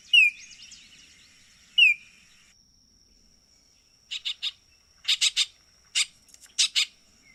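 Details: Two quick downslurred whistled notes from a Baltimore oriole, then after a pause a dry, harsh chatter of short clustered buzzy notes in bursts of one to three, under a steady high background tone.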